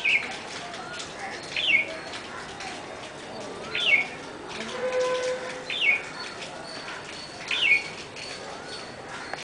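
A bulbul gives short, bright, bubbling phrases, each dipping then lifting, repeated about every two seconds over a steady hiss of background noise.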